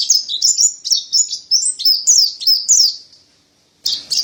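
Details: Mountain white-eye, white-breasted form: rapid sweet slurred notes, about three a second, ending in a gap before two final chirps.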